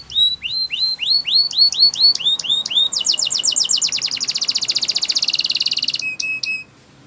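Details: Loud Spanish Timbrado canary training song: a row of bright hooked whistles about every quarter second, a burst of very fast rattling notes, a long ringing metallic trill, then a few clipped high notes.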